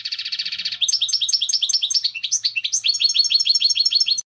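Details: European goldfinch singing: a fast buzzy trill opens, then a lively run of tinkling, liquid twittered notes repeated rapidly, about three per second, clean with no other sounds.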